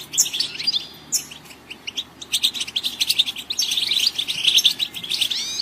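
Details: Goldfinch song in bursts: sharp chirps and twittering phrases, a quieter stretch, then a long run of rapid, bright, liquid trills and buzzy notes toward the end.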